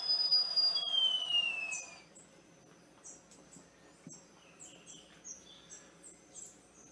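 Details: Bare-throated bellbird (Procnias nudicollis) song: loud, piercing, high-pitched notes sliding downward over the first two seconds, then softer chirps from other small birds in the background.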